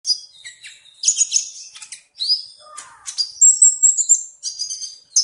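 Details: Sunbird song: high, thin chirps and short whistled phrases, some sliding upward, in quick uneven bursts with brief pauses, ending in sustained high trilled notes.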